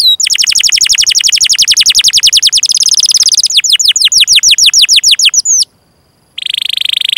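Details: Canary in full, long song, recorded as tutor material for young canaries and for canaries that have stopped singing: rapid series of high downward-sweeping notes, a denser fast trill, then a brief pause before a bright, buzzy rolling trill.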